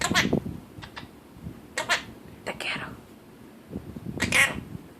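A Quaker parrot gives harsh, raspy squawks in short separate bursts, with a person talking softly.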